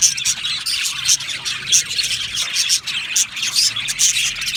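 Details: Budgerigars in an aviary colony, a dense chorus of high chattering chirps and short warbled notes overlapping continuously, with no pauses between calls.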